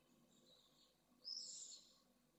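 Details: Nestling pallid swift near fledging, filmed by nest camera in Jerez de la Frontera, Spain: a faint buzzy call, then one louder rasping, drawn-out high screech of nearly a second over low hum.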